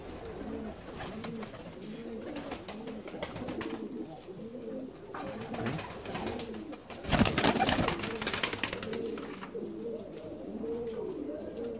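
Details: Saltanat pigeons, a fancy breed once kept in Ottoman palaces, kept by a breeder in Bursa, Turkey: soft low cooing repeated rapidly in rolling phrases, with a burst of rustling noise partway through.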